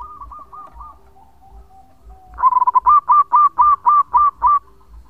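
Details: Local zebra dove singing vigorously with a long voice, used as a lure: a soft trill of coos, then a loud series of about nine evenly spaced, bouncing coo notes.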